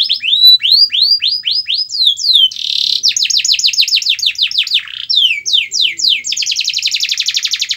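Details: Canary song to get a quiet pet canary singing: repeated curved whistles in quick rhythm, a buzzy burst, fast chattering sweeps and a closing dense trill.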